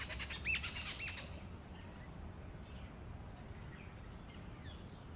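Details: A female Asian koel (Eudynamys scolopaceus) gives a quick burst of shrill, sharp kik-kik notes for about a second, then falls quiet over a low background rumble.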